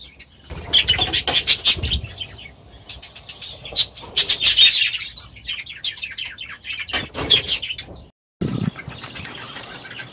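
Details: Budgerigars in an aviary chatter together in dense bursts of high chirps and scratchy warbles, broken by short pauses and one brief full silence near the end, with soft wing flutters underneath.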